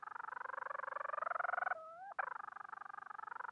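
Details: Bermuda petrel giving a mate-seeking call, a fast pulsed churring that brightens slightly, pauses for a smooth rising glide, then returns to rapid pulsing.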